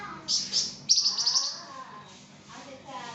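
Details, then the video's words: Singing flamboyan, a tutor recording for songbirds: a short high twittering burst, then a rapid run of bright chirps fading into soft lower warbles. "𝗯𝘂𝗿𝘂𝗻𝗴 𝗳𝗹𝗮𝗺𝗯𝗼𝘆𝗮𝗻 | 𝗳𝗹𝗮𝗺𝗯𝗼𝘆𝗮𝗻 𝗴𝗮𝗰𝗼𝗿 | masteran flamboyan"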